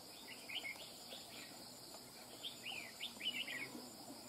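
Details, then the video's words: Red-whiskered bulbul, a wild-caught bird, with two quick bursts of twittering, whistled song notes separated by a short pause; a steady insect whine runs underneath. "Chào mào BỔI VIP CHÉ | SIÊU CẦU CHẠY NHƯ MÁY | CẦU CÁNH MỎ CỰC HAY"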